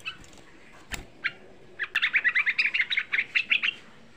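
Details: Young sooty-headed bulbul used as a lure to rouse other bulbuls into singing: a few scattered chirps and clicks, then a rapid run of about fifteen bright, bubbly notes in quick succession lasting nearly two seconds.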